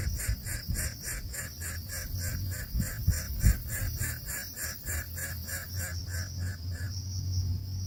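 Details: Hungry nestlings in the nest begging loudly for food as a parent arrives, a fast steady series of harsh pulsed cries about two or three per second, with a low rumble and bumps underneath.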